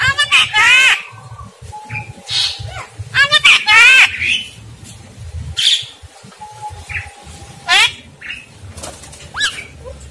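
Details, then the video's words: Javan myna song used as a tutor recording for training other mynas to sing well: a varied mix of harsh rasping bursts, rapid rising and falling whistled notes and long flat whistles, with pauses between phrases and a faint low hum behind. "masteran jalak kebo yg pingin jalaknya bagus"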